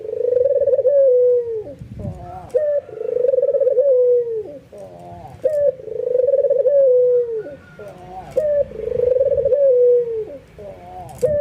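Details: Excited white albino ringneck dove bowing as it coos, prompting other doves to join in; four drawn-out low coos with falling tails, each answered by a brief buzzy upturned note, in a steady cycle roughly every three seconds.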